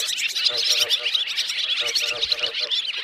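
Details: Swiftlet roosting calls used as a net lure: thick, unbroken high twittering from a crowd of birds, the rapid chirps overlapping into a shimmering chatter.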